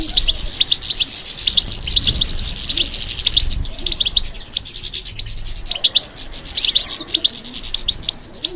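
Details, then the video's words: European goldfinch kept for song competitions sings a dense, busy twittering of high chirps, almost unbroken, above a faint low rumble. "How to encourage the goldfinch to respond to stimulation"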